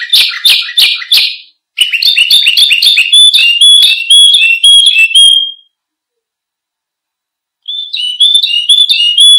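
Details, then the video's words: Canary singing as a tutor and lure for other birds: a quick run of loud buzzy chips, then rapid whistled phrases repeated about twice a second, a two-second pause, and the whistled phrases resuming. "Suara Kicau Burung KENARI Untuk Pancingan Dan Masteran"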